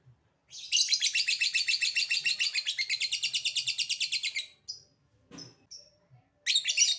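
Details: Calling lovebird in ngekek style, a lure sound meant to make other lovebirds answer: a long, shrill, rapid trill lasting nearly four seconds, then a few scattered chips and a fresh burst of chatter at the end.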